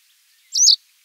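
A masked wagtail gives a single sharp, high, slurred chirp lasting about a quarter second, with quiet surroundings before and after.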